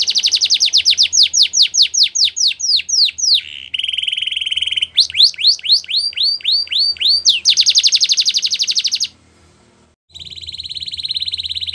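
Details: Canary song used to encourage other canaries to sing: a rapid run of descending notes, a short buzzy roll, a string of rising sweeps and a loud fast trill, then a short pause and another steady roll.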